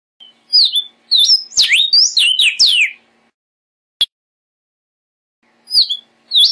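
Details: Male Vermilion cardinal (Cardinalis phoeniceus) song: a rapid burst of loud, clear whistled notes sweeping down and up, then a single sharp chip and a brief resumed phrase.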